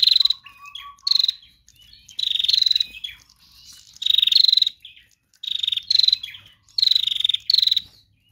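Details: Female bar-winged prinia calling vigorously. Buzzy pulsed bursts follow one another quickly, almost back to back. Near the start there is a brief low run of even, soft, beaded notes.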